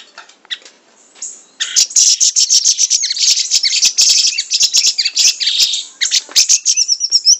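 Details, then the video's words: A siri-siri songbird pours out a fast, dense, high-pitched twittering song of sharp chips and trills, nearly unbroken after a quiet, scratchy opening second. "Burung Siri Siri gacor dor Sped Rapat full isian"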